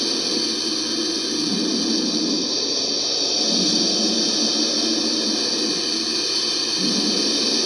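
A turkey vulture gives a long, breathy hiss that runs nearly unbroken for the whole stretch, swelling and easing in soft pulses.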